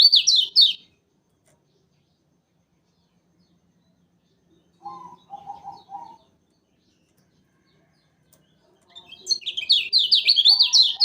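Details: Yellow kecial, lemon-bellied white-eye from Lombok, used as a trapping lure: two fast, loud bursts of high zigzag twittering open and close the recording, with a soft series of lower, hoarse notes in the quiet gap between.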